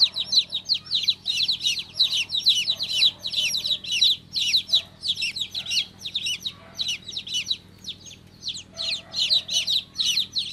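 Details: Baby chicken chick chirping loudly and steadily, a fast shrill chain of downward peeps for over ten seconds, easing briefly in the middle before resuming; low hum in the background.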